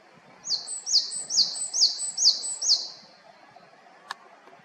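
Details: Japanese tit recorded in Haenam, South Korea, delivering six high, evenly spaced whistled notes at about two per second, then silence broken by a single faint click.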